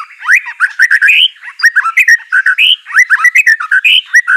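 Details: White-rumped shama delivering continuous song to prompt a lazy bird to sing: quick chattering sequence of upslurred and downslurred whistles, with short rich notes at a steady, lively pace.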